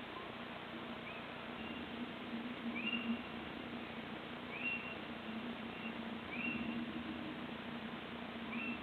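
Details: Little owl calling on 26 March 2014, partly out of view: a run of short, high, flat-topped notes, some fainter and some stronger, repeated roughly every second over a noisy low hum.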